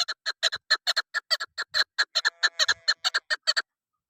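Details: Hunting lure call of a female chukar partridge: rapid, evenly spaced raspy chuk notes, about two per second, stopping after three and a half seconds, with a few faint low knocks.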